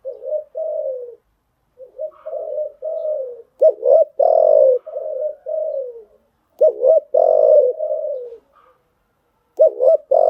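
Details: Spotted dove lure cooing used to train newly caught birds; several low, mellow coo phrases in succession, each ending in a longer, louder drawn-out note.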